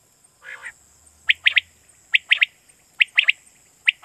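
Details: Quail call used as a lure for night hunting in Pakistan: short, sharp, bright notes in tight groups of three, each triplet repeated about once a second, with one buzzy note at the start and a faint steady whine behind.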